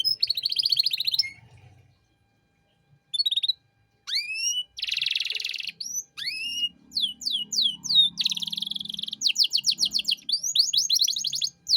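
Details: Canary singing a constant 'cengkok mewah' master song meant for teaching untrained songbirds: a high buzzy trill, a pause of near silence, then varied downswept whistles, a dense buzzy block and fast repeated sweeping notes.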